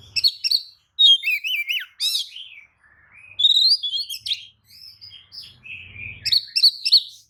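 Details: White-rumped shama lure song, tail spread, to provoke other shamas into replying; continuous varied song of loud whistles, trills and harsh chattering bursts with brief pauses.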